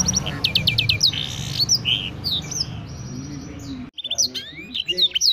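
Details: Domestic canary singing in a blackthroat-imitating style from Wiradesa, Pekalongan: high sharp chirps, rapid trills and buzzy rising notes over a steady low rumbling background noise, a short break, then quick slurred whistles.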